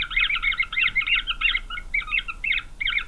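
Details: Green wood hoopoe chicks in a nest, Pretoria, South Africa, November 9, 2023; dense rapid chattering of scratchy, high notes in quick bursts with brief gaps, several voices overlapping, no other clear sounds.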